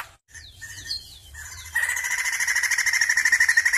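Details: Sumatran crested laughingthrush singing: a few thin descending whistles and buzzy notes, then from midway a loud rapid rattling trill of stacked harsh notes repeated about three times a second, low rumble beneath.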